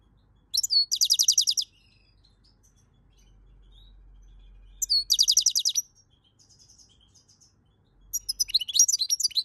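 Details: European goldfinch in song, May 2022, with rapid rattling trills of repeated high notes lasting about a second each, then a looser, tinkling twitter, and a low hum underneath.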